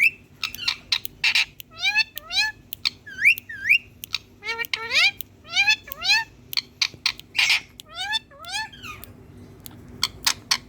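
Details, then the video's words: Hand-tame green Indian ringneck parakeet addressing a mirror with fast mimicked chatter: clustered, curving voiced syllables alternating with harsh noisy clicks, steady and busy for the whole stretch. "Green 🌱Handtame Indian Parrot🥀Talking To Mirror🪞Talking Parrot"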